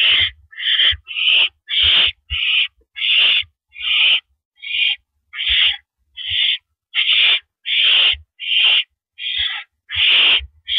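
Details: Owl perched on a porch, recorded on April 9, 2012 at 8:17 PM, giving harsh hissing screeches roughly a second long, repeated about every 0.7 seconds in a steady series with short silent gaps.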